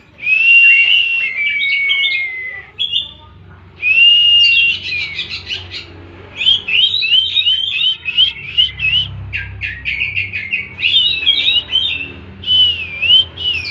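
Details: Oriental magpie-robin performing 'tembakan' song: two long whistles followed by a long run of rapid, wavering whistled and scratchy notes, varied and nearly continuous. Soft low rumble in the background.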